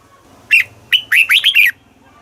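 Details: Red-whiskered bulbul, a caged bird in Thailand, giving southern master-phrase style song played to stir up other birds and teach young birds. A single crisp phrase of five quick, bouncing whistled notes.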